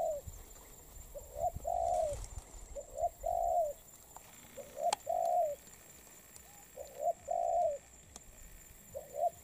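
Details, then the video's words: Molting spotted dove, recently caught, cooing steadily. Each phrase is a brief soft note followed by a longer, slightly rising-then-falling hoot, repeated about every two seconds. Faint clicks are in the background. "Bổi Đồng Pha tốt tiếng , liền lẹ , bài khá , gù tốt"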